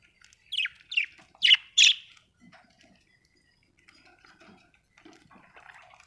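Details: Four quick, rasping budgerigar chirps in a rising-energy run, followed by soft, faint twittering chatter that trails off.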